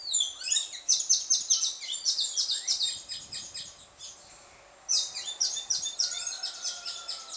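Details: Carib grackles at twilight in Martinique giving quick trains of high, sharp chirps, about two or three per second, pausing briefly before another bright squeaky burst; a faint thin whistle runs underneath.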